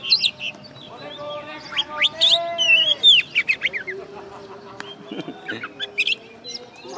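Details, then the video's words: Contest-winning caged oriental magpie-robin from West Kalimantan, recorded after the contest. It gives scattered high chips and whistles, with a lower, drawn-out harmonic call in the middle and a faint low drone throughout. "Kacer Juara 1 Habis Gantang"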